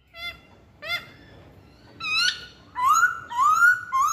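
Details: Lure song from a masked laughingthrush: two short separate notes, a harsher harmonic call, then smooth rising whistles repeated about once a second.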